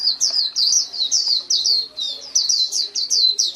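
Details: Continuous white-eye song: a rapid, steady string of bright, slurred whistled notes sweeping downward, repeated several times per second without a break.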